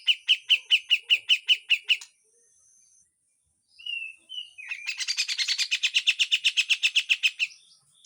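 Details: Harsh full besetan song of a Grey-cheeked bulbul: a two-second run of loud, regular chattering notes, a pause with a few whistled slurs, then a long, dense rattle lasting about three seconds.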